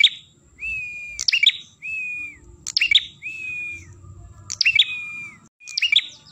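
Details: Lure recording of an ashy tailorbird: flat, sustained whistles that bend slightly at the end, followed by loud clusters of quick, piercing chirps, the pattern repeating several times over a soft low rumble.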